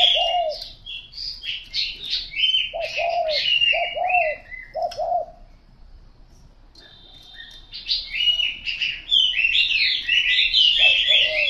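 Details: A spotted dove gives paired coos, a brief note then a drawn-out falling coo, in bursts with a pause mid-clip, while other small birds chirp and twitter loudly at higher pitch throughout.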